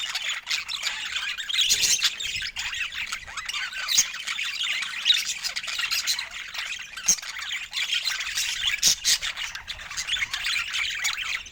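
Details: In Scandinavian natural light, budgerigars chatter joyfully over fresh food, a crowded mix of squeaky chirps and grating warbles that swells and eases in waves, with a few sharp taps.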